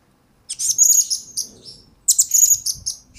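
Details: Two loud bursts of shrill, high squeaky twittering, each about a second long, from a blue-crowned hanging parrot in a recording for tutoring and luring training birds.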